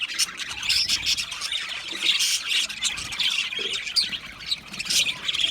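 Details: Budgerigars in an aviary chirp and warble nonstop, a thick layer of high, scratchy notes rising and falling in loudness, with a few sharper squeaks.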